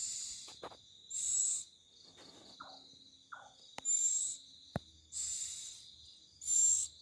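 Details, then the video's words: Bird calling at night, loud and eerie: harsh, hissing half-second screeches, about four within seven seconds, some ending in a thin whistle, over a steady high insect trill and a few clicks. "SUARA BURUNG YANG KERAS DAN SERAM"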